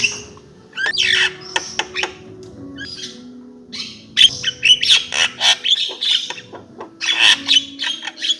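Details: Loud Javan myna song of scratchy chatter, sharp clicks and harsh rasping bursts, turning into a fast run of grating notes toward the end.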